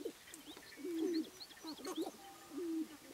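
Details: Displaying male Sharp-tailed Grouse on a spring lek, Namekagon Barrens, Wisconsin: drawn-out low hollow coos, slightly wavering, alternating with quick clucks and a short crackle, thin higher chips faintly behind.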